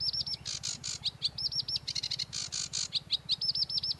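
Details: Sedge warbler song in the varied 'tembakan' style: rapid chattering phrases of high, looping whistled notes and short buzzy bursts, some notes repeated in quick runs, over a steady low mechanical hum.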